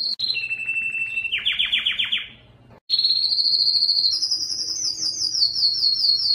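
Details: Yellow canary song: a high note dropping into a mid trill, a burst of fast downward sweeps, brief silence, then rising and repeating high pulsed tours; low hum faintly beneath.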